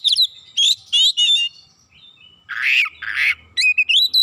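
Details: Oriental magpie-robin in lively full song used as a lure to stir other birds, showing off mimicked fill notes: sharp whistled slurs and rising trills, then two harsh buzzy rasps, closing with quick chirps and a rising whistle.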